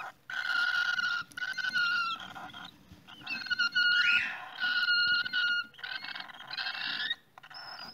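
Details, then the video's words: Cockatiels at their nest, giving loud, harsh, buzzy calls with rich overtones in sustained bursts of about a second each, separated by brief pauses, ending with a short higher whistle. "Cockatiels Nest"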